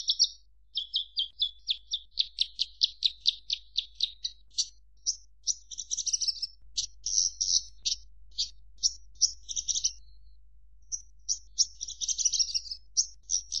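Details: Javan bush lark, known locally as branjangan, singing a long varied run: rapid repeated high chirps building into buzzy trills and scratchy jumbled phrases, all high-pitched with clean silence behind.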